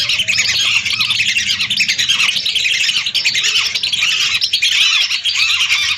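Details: Large flock of lesser whistling ducks, hundreds of birds, played as a lure: an unbroken wall of loud, high, squeaky whistling notes from many birds overlapping without pause.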